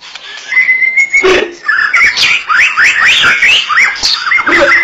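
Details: White-rumped shama song of varied phrases, a thin level whistle followed by loud quick rising and falling whistled notes, tumbling in fast succession with brief harsh accents.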